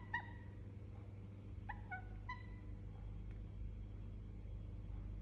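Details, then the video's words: Sleeping Indian ringneck parakeet making soft, soothing sounds: three brief, gentle whistled notes, each sliding slightly downward, then quiet, over a low steady hum. "Sleeping Parrot Making Soothing Sound"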